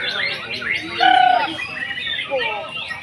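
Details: Singing contest of white-rumped shamas, with varied loud whistles, chattering trills and a steady sustained whistled note near the middle, several birds overlapping, with faint human voices behind.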